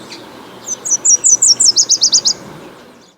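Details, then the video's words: Nashville Warbler song: a string of high, sweet doubled introductory notes, "seeit seit seit", running straight into a quicker thin trill, all in under two seconds, with faint background hiss. "Nashville Warblers sing a song with sweet doubled introductory notes and a thin Trill seeit seit seit"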